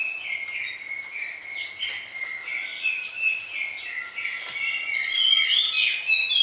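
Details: Orange-headed thrush pouring out a vigorous song of varied fill-in phrases, used as a morning and evening tutor for other birds: dense, rapid warbling of mixed whistles and chattering notes, growing fuller and buzzier toward the end.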